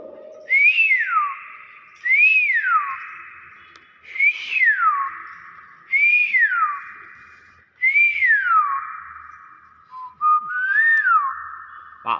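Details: Tame common hill myna giving six loud whistles about two seconds apart, each a clear note that swoops up and falls away, ending in a ringing tone.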